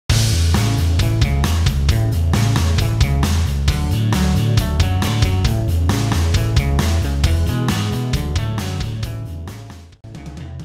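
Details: Loud rock music with heavy drums, bass and distorted guitar throughout, ending in a brief pause near the close; no animal voice can be picked out.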